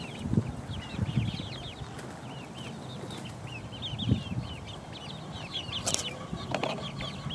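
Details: Several four-week-old chicks pecking around, a flock of high chirping peeps running almost continuously, with soft low knocks and taps from pecking and a brief sharp noise near the end.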